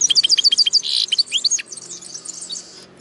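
Linnet x canary hybrid singing a fast, bright twittering phrase of repeated high chips, a buzzy trill and rising slurred notes, fading into softer warbling.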